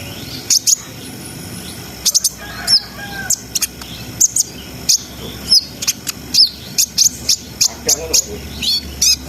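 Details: Brown-throated sunbird singing constantly in a rapid, continuous style to raise breeding arousal in untrained birds: irregular sharp high chirps and short downslurred whistles, growing denser toward the end.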